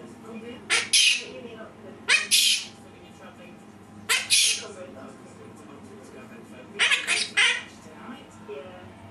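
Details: Pet Quaker parrot mimicking human sneezes: sharp, hissing double bursts repeated four times, roughly every two seconds, over a low steady indoor hum.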